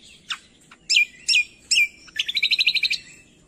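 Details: Training recording of cucak kombo song meant to make quiet birds answer: several loud sharp downslurred whistles, then a fast rattling run of about a dozen clipped high notes, clear over faint background hiss.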